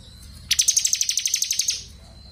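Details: Crystal blue robin singing continuously, kept as a training recording for other songbirds: a rapid burst of about fourteen sharp, evenly spaced high notes over roughly one and a quarter seconds, each a bright descending chip, then quiet.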